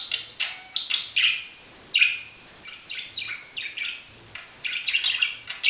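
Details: Budgerigar warbling in bright, buzzy chirps and squeaky downslurred notes, a loud peak early, quieter chatter in the middle, then a fast burst at the close.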